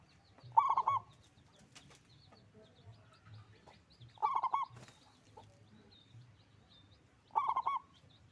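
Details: Loud local zebra dove singing readily: three quick, stuttering coo phrases about three and a half seconds apart, with soft background chirps and low murmur.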